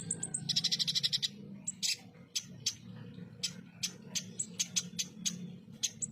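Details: Ruby-cheeked sunbird (konin) in a coarse 'full tembakan' tutor-style song: fast buzzy high trills and sharp thin chips, some in quick runs, over a steady low hum.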